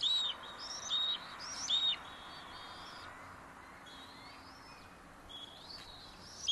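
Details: Young bald eagle at the nest on a morning, June 30, 2022, mantling over a fish to keep its sibling from taking it: high, thin squealing notes with slight upward slurs, in short bursts separated by pauses.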